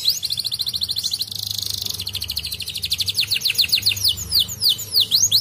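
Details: Singing canary recorded to encourage lazy canaries to sing, delivering a fast even trill of high chips that speeds into a rolling tour and finishes with looping, swooping whistled notes.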